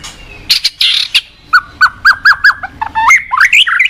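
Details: White-rumped shama in a cage, morning song used as a lure: harsh buzzy bursts, then a series of six clear arched whistles at a steady pace, ending in quick rising twittered notes.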